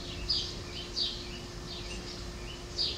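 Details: Two young rescued great horned owls at a local wildlife rescue center give short, raspy, hissing screeches every second or so, over a steady low mechanical hum.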